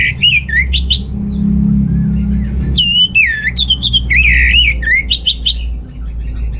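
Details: Orange-headed thrush in full song, used as a lure to stir males lacking breeding drive; loud whistled phrases that rise and fall, some sliding, delivered in quick bursts with a short pause midway, over a steady low hum.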